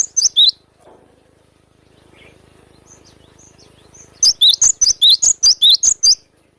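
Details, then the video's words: Sharp 'besetan' song of a wild cinereous tit: a short burst of high slurred whistles, a quiet gap with faint distant chirps, then a fast run of about ten piercing two-part notes. "GELATIK BATU GACOR BESETAN TAJAM SUARA ASLI ALAM LIAR"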